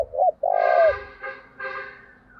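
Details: Spotted dove decoy calling to lure wild doves: two short coos and a long falling coo, then a louder, harsher harmonic call from another source in the background.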